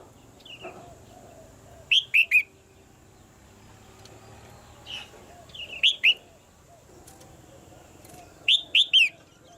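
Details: A female red-whiskered bulbul in a cage calls to spur the male's singing. Three loud phrases of three swooping whistled notes come about three seconds apart. Soft single whistles sound between them over a faint hum.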